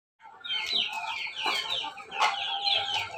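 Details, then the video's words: Crossbred rooster of ayam ketawa, pelung and bangkok lines in Yogyakarta, Indonesia, giving a long, rich, harmonic crow in several broken, surging phrases, with other chicken calls nearby. "persilangan ayam ketawa pelung bangkok jogja"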